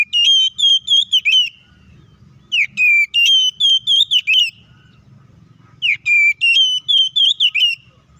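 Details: White-rumped shama (kacer) in fighting song meant to provoke other birds, delivering three loud bursts of rapid, ringing whistled notes, each phrase lasting about a second and a half, with low hum between.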